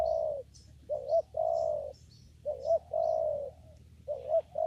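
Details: Spotted dove at a papaya garden bird-trapping spot, calling in steady rhythm: a held coo, then phrases of a short rising note and a long soft coo, about every one and a half seconds, small birds chirping faintly overhead.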